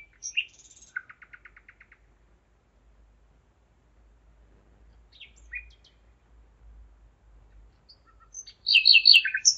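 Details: Singing nightingale, recorded at 01:55 on 5 May 2017 in Zeitz, Germany; a fast dry rattle of about a dozen clicks, scattered short notes, then a loud throbbing run of rich repeated notes.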